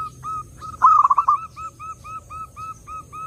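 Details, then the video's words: Zebra dove song recorded clearly to draw in other doves: one loud stuttered phrase of quick rolling coos amid a steady background of soft upslurred single notes repeated roughly every third of a second. "SUARA BURUNG PERKUTUT _JERNIH_"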